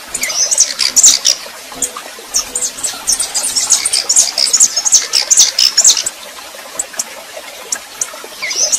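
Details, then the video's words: Female red-pileated finch warming up and singing like a male: bursts of high, thin, twittering notes in quick succession for about six seconds, a pause, then another phrase starting, over steady scratchy, clicking background noise. "Esquentando Tico Tico Rei FÊMEA MACHEANDO"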